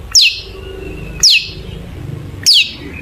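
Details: Long-tailed shrike used as a singing lure, giving three sharp, harsh downslurred notes, each about a tenth of a second long, repeated every one and a quarter seconds over a faint background hiss.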